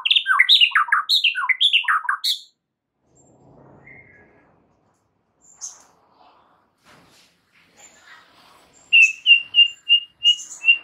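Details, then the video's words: White-rumped shama song from a masteran for stressed birds: a quick burst of looping slurred whistles, a long near-silent gap with faint distant chips, then seven clear even whistled notes in a steady row. "MASTERAN untuk Murai Batu Stress"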